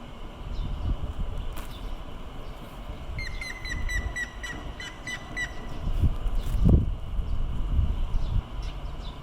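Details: Grey-headed woodpecker in Sapporo, Hokkaido, on 30 May 2018, gives a run of about a dozen clear, whistled notes, evenly paced over three seconds, over a steady low rumble of wind or distant traffic.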